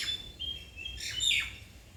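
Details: Bird song of thin, high whistled notes, held briefly and then slurred downward. A brighter, busier burst of twittering follows in the second half, over quiet background hiss.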